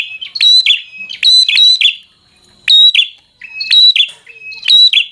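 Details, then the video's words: Bar-winged prinia in energetic fighter song used to provoke rivals. Clusters of two or three ringing snaps with whistled notes, separated by clear silent gaps. "Prenjak Gacor Full FIGHTER Bikin Prenjak Jadi Emosi Lawan"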